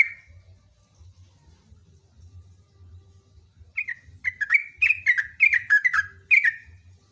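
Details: After a quiet start with a single note and low hum, a sooty-headed bulbul breaks into a loud, long rapid run of jumbled, downslurred chirps lasting about three seconds.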